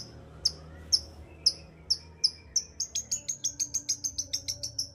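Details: Energetic long-tailed shrike song used to spur a quiet shrike into singing. Sharp, high ticking notes come about twice a second, then speed into a rapid, even run of clipped notes over a faint low hum.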